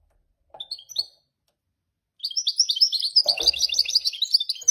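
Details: Goldfinch mule gives two short high chirps, falls quiet, then launches into a rapid, continuous stream of bright twittering notes and trills, with a brief knock partway through.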